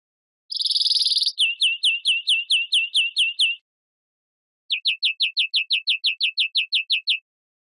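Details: Song of a European greenfinch: a brief harsh buzzy burst leading into about nine quick downslurred chirps, then after a pause a second even series of about twelve sharp slurred notes; otherwise silent.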